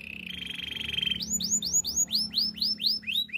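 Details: Canary training song: a low buzzy rolling trill for about a second, followed by a run of loud arched whistled notes repeated roughly three times per second, with faint low hum beneath.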